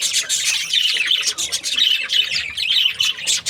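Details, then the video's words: Several budgies chirping and warbling in a steady, loud chatter of harsh squawks and short rising and falling notes. "Budgies parrot chirping sounds"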